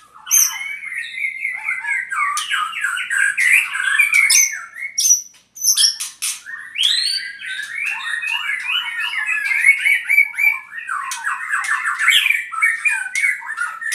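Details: Purwokerto albino white-rumped shama in long, energetic song, mixing harsh squawky chatter, rapid trills and clear whistled slurs, with a short pause near the middle before the varied stream resumes.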